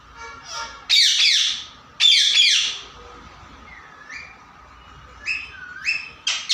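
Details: Pet parrot, or mitthu, giving two loud rough screeches a second apart, followed by softer short rising whistled calls and clipped chirps toward the end.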